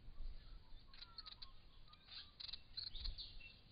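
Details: Purple-crowned lorikeets, two adults and two young that have just left the nest and are still learning to fly, with a Little Lorikeet nearby, give short, shrill, high screeches in quick scattered bursts against a steady low background rumble.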